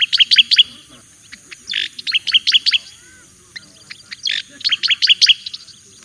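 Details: Javan white-eye giving its training master song, brisk series of high downslurred chirps in tight runs, with buzzy harsh notes mixed in and a short pause midway.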